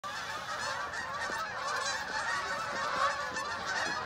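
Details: Geese flying overhead in V formation in Oakland, honking over and over in a dense overlapping chorus of nasal calls.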